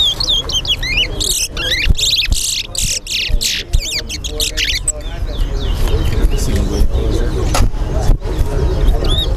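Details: Two caged towa towa birds face off in a Linden, Guyana whistling competition; a dense flurry of rising and falling whistled phrases fills the first four seconds before fading under people talking.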